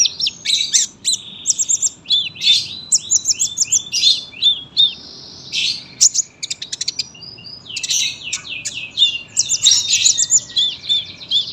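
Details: Sunbird singing long and dense, a tutor recording for young birds: nonstop high chattering, thin buzzy trills and quick descending whistles in a rich, rapid stream.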